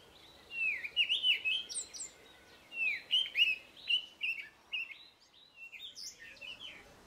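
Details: In a garden, a Cape robin-chat sings rich whistled phrases with rising and falling slurs, then quieter high notes near the end, part of a song that includes mimicry.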